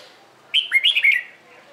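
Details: Morning competition song of a red-whiskered bulbul, used for training; one quick phrase of four or five clear, slurred whistles rising and falling, under a second long, in a quiet setting.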